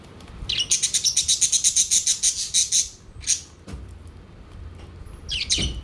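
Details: Pet budgerigars gathered around their food plate: a rapid run of about fifteen very high, scratchy chirps repeated evenly for two seconds, then scattered single calls over a low background rumble.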